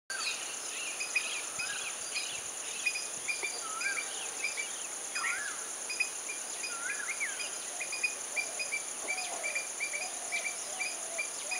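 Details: White-browed Bulbul in Sri Lanka giving short, scattered chattering and slurred whistled notes, mixed with other bird notes over a steady high insect drone.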